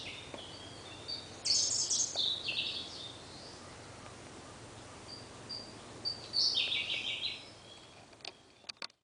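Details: Male-type song of a Siberian blue robin hidden in a dark thicket in Munakata, Japan, May 2013. There are two short, fast, shrill trills separated by several seconds of near silence, then faint clicks at the end.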